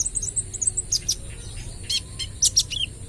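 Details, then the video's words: Kolibri ninja sunbird, trotol, in rapid 'AK 47' style song used to lure birds. A quick run of thin, very high chirps, then sharp clicks and a short falling note. "KOLIBRI NINJA (Konin) Trotol Gacor Full Tembakan AK 47 - Cocok Buat Pancingan"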